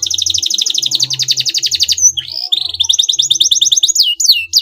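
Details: Canary singing to draw a rival's response: a long fast pulsing trill, a short slurred section, then quick rising and falling whistled notes repeated rapidly over a faint low hum.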